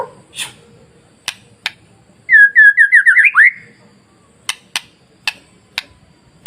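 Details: White-rumped shama masteran material for rousing other shamas: a quick run of about eight descending slurred whistles, set among scattered sharp clicks.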